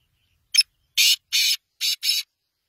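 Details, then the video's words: Black francolin call: one short harsh note, then four longer rasping, buzzy notes in quick succession, all within about two seconds against a silent background. "Kala Tetar Big Show beautiful voice"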